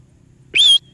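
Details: Parrot giving a single short, bright whistle that sweeps upward and then holds steady, briefly trailing off into a thin tone, over a quiet low hum.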